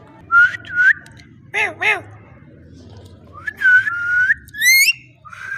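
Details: Parrot whistling and talking: several clear level whistled notes with upturned ends, a pair of wavering, arched, voice-like syllables, and a high twisting squeak, in short bursts with low background hum.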